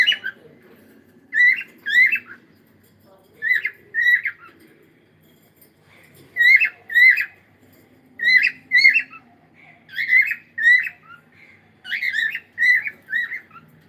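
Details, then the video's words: Cockatiel morning song of paired, slurred whistled chirps repeated at irregular intervals, becoming busier toward the end, over a faint low hum. "cute Cockatiel singing and sound"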